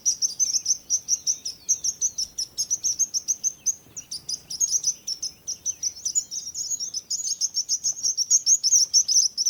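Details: Busy high-pitched bird chirping with overlapping callers, a short lull near four seconds, then a thicker, more rapid chorus toward the end.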